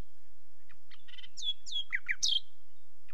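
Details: Nightingale phrase with a soft buzz, two descending slurred whistles, a pair of lower downslurred notes and a sharp high note, delivered quickly in one burst.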